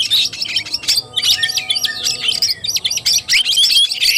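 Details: Oriental magpie-robin, fighting style (tarung), 17 August 2021: quick, jumbled phrases of buzzy chirps and thin whistles repeated roughly twice a second, ending with brighter upward whistled notes.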